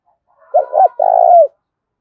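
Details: Low, mellow three-note coo of a spotted dove in a heated contest: a double short hoot followed by an extended vibrating note that sinks in pitch, given once, in the mixed thổ-đồng voice.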